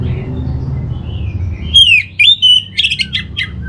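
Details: Orange-headed thrush from North Bali, a caged bird's lure song: soft faint whistles, then loud clear rising and falling whistled notes and a rapid warbled run, over a low background hum.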